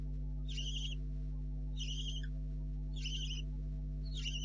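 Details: Barn owl owlets at the nest during the night, 04:30, 4 July 2013, two owlets believed left; four wheezy, slightly wavering snoring hisses about every 1.2 seconds over a droning low hum.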